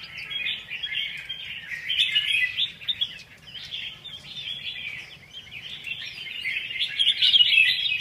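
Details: Red-whiskered bulbul delivering a fast, nearly continuous chattering warble of jumbled notes for eight seconds, swelling toward the end, with a soft low hum behind.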